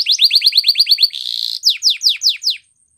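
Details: Loud canary training song: a fast string of bright falling whistles, a brief dense buzzy trill, then five slower, emphatic descending notes ending in silence.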